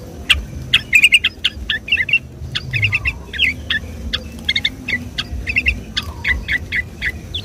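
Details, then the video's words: Sooty-headed bulbul, lively 'gacor ropel' song used as a Sunday-morning lure for the species: clipped, bright chirps in small clusters, repeated at a brisk, uneven pace over a quiet background. "suara trucuk gacor ropel"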